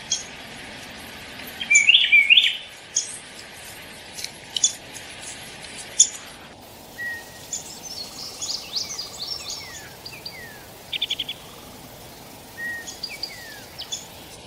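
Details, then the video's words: Downy woodpecker giving sharp, high 'pik' notes, singly and in quick little clusters, with other small birds chirping in the background. "SOUND OF A DOWNY WOODPECKER"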